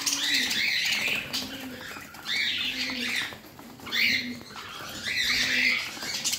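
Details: Indoor parrot giving four main bouts of grating, squeaky chatter, each followed by a low, soft coo.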